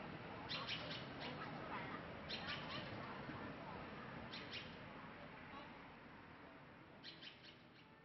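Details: A Taiwan blue magpie, nesting in Kangning Park and attacking people who pass near the nest, gives short, harsh bursts of chattering calls every two seconds or so over steady broad background noise, possibly traffic or wind; 6 May 2017.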